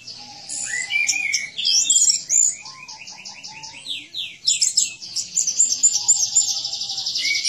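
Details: An orange-headed thrush sings a rich, nonstop song of rapid high phrases, sweeping whistles and buzzy trills, several notes each second, with no other sounds; a recording meant for tutoring other birds and for birds that have stopped singing.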